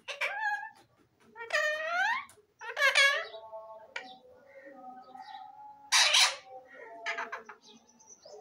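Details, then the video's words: Parrots talking in voice-like, rising and falling syllables, with squawks and a sustained murmur of mimicked speech tones between them. "Parrots talking very sweet and sweet"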